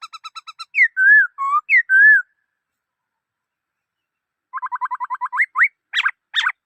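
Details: Black-throated laughingthrush song: a rapid run of short piping notes leads into rich rising and falling whistles. After a silent gap comes another fast series of short rising notes ending in harsher, buzzier notes.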